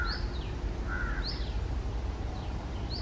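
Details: Red-breasted, or moustached, parakeet perched on a treetop on an early summer afternoon, giving brief sharp upslurred squawks alternating with lower grating notes, about four in three seconds, against constant low outdoor hum.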